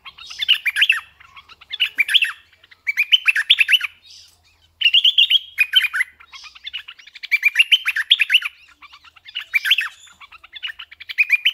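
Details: Red-eyed bulbul decoy bird singing in repeated chattering bursts of about a second each, loud warbled notes roughly every one to two seconds, with clean quiet gaps between.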